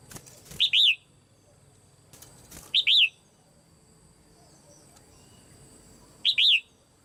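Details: Female red-whiskered bulbul kept in a cage, calling to encourage other birds to sing strongly: three phrases of two loud arched whistles each, spaced two to three seconds apart, with scattered clicks between.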